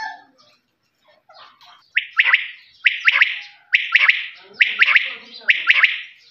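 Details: After a few scattered soft chirps, a quail launches into its clear three-note whistled call, 'whit wit-wit', repeated about every second for five phrases.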